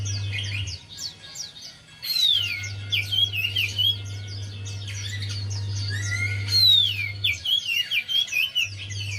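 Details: Javan white-eye song used to coax a silent bird: long runs of fast, high chirps and downward whistled sweeps, pausing briefly before resuming, with a low electrical-sounding hum.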